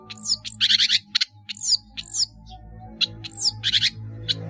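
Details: Long-tailed shrike, a caged training bird singing energetically with varied borrowed notes; harsh rasping bursts mixed with sharp falling whistles and clicks, delivered in quick irregular groups over low background hum.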